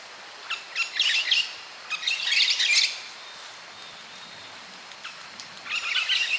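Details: White-eared parakeet, also called maroon-faced parakeet, calling while feeding: bursts of harsh, high chattering notes in clusters, a pause of about two seconds, then another chattering burst; quiet background.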